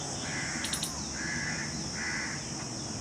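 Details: Family of jungle babblers on 22 June 2021, moving among tree branches: three drawn-out, rasping nasal notes, evenly spaced about 0.8 seconds apart, with a brief squeaky burst early on, over a constant shrill insect hum.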